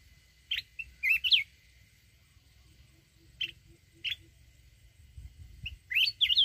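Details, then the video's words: Red-whiskered bulbul of the mountains in wild-style song for rousing decoy birds: clear whistles and wavering warbled phrases, short notes scattered between longer twisting ones, with a steady faint hum. "chào mào núi@ hót giọng rừng kích bổi."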